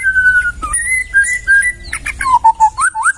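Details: Tutor recording of a white-rumped shama from the forest: long pure whistles at a steady pitch, then buzzy high notes and a run of low, upswept whistled phrases.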